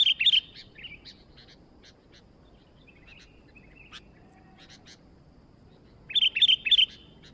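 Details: Vigorously singing sooty-headed bulbul: a loud, rapid cluster of bright chattering notes opens and closes the recording, with softer scattered chirps and short warbles between.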